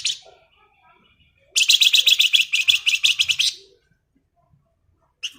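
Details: Singing flamboyan bird in ngebren style: one long, rapid, buzzy rattle of about twenty clipped notes lasting two seconds, then short isolated chips before and after, in an otherwise quiet setting.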